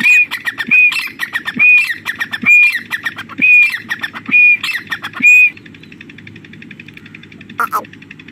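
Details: Female grey partridge in jungle, calling non-stop, used as a lure for hunting: harsh, squawking notes repeated about once a second for five seconds, with a low hum underneath, then quieter background with a brief high squeak.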